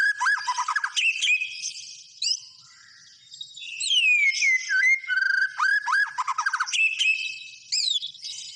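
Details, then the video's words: White-rumped shama song with fast rattling bursts, a brief pause, sweeping high whistles and varied buzzy phrases, loud and clear. "SUARA BURUNG MURAI BATU GACOR"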